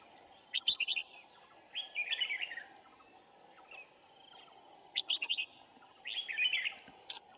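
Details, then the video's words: Cao Phong decoy red-whiskered bulbul at a trapping site in Kim Bôi, Hòa Bình, Vietnam, giving four lively, jumbled warbling phrases about a second long, separated by pauses, backed by a continuous high-pitched insect drone. "Bẫy chào mào Kim bôi - Hòa bình mồi cao phong ra trận"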